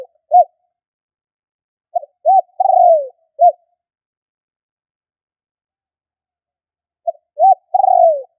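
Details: Spotted dove call used to draw in wild doves: low four-note phrases of two short coos, a longer falling coo and a brief last note, repeated after a long pause, background silent.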